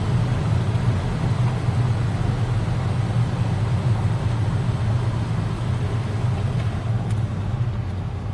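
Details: Loud, steady engine and traffic roar dominates throughout, with no animal sound.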